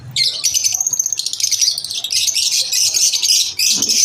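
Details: Almost unbroken lovebird chatter at lunch time, with rapid staccato chirps early on merging into a dense, shrill, buzzing trill and a brief dip near the end.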